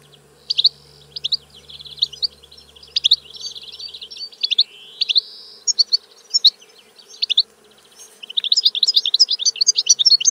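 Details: Goldfinch song made of lively, high-pitched twittering phrases that repeat with short gaps, then run into a faster, denser run of tinkling notes toward the end; a low steady hum lies beneath.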